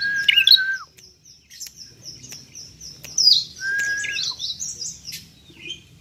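A bar-winged prinia gives bright, high chirps and a fast run of sharp repeated ticking notes, with a lower whistled note between bursts.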